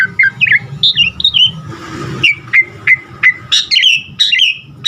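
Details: Asian pied starling singing a varied phrase for training caged birds: slurred whistles, a brief hissing noise burst midway, then evenly spaced sharp chirps and higher sweeping notes.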